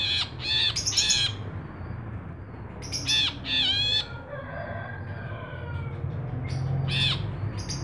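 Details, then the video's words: An ashy bulbul in persistent song, intended for training and luring other birds. It gives bursts of harsh, ringing notes with bending pitch, separated by quieter gaps. Softer whistles and a steady low hum sit underneath. "Brinji Kelabu Gacor, pancingan brinji kelabu, masteran brinji kelabu"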